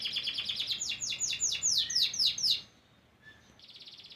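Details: Bright notes from a white crested canary: a fast trill running into louder descending sweeps, a short quiet gap, then a soft high rattling roll.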